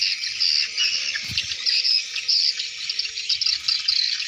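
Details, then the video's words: Swiftlets in their hundreds flying into the nest site at dusk: steady high-pitched twittering chatter from a large flock, with short bright chirps standing out and a brief low thump midway. "Ratusan Burung Walet Masuk Sarang di waktu senja"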